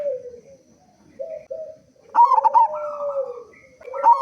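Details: Local zebra dove, a frequent singer with a big voice, recorded as a lure to get other doves singing: soft low coos that break into a loud, stuttering, rolling cooing phrase, repeated after a pause.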